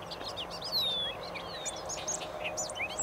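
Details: Bobolinks in meadow habitat give a busy, bubbling stream of tinkling notes and falling whistles, a strong downward slide early on, with low background noise throughout.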